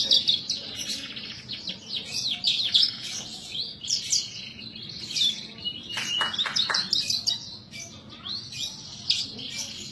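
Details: Indonesian pet Horsfield's bush lark in vigorous song: long run of rapid, high twittering and scratchy notes, mixed with sharp clicks and downward sweeping chips, delivered almost without pause.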